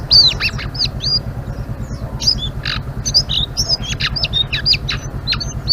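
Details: Blue-winged leafbird singing energetically in ngeriwik style: rapid high whistles, sharp chips and downward slurs tumble over one another, with a steady low mechanical hum beneath.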